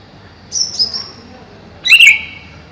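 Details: Caged greater green leafbird above a pond sings two brief phrases: a high thin whistled slur, then a louder, harsher chirped note that falls slightly, over a faint steady hum.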